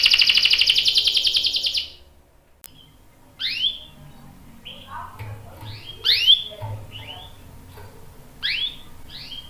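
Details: Canary song with a young male answering: two seconds of dense trilling, a pause, then scattered rising-and-falling chirps at intervals.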